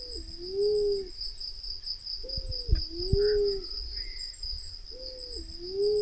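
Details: Black-naped fruit dove (Ptilinopus melanospilus) lure call: low, mellow cooing notes, each dipping then swelling upward, repeated about every two and a half seconds over a steady high insect drone and a few soft thumps.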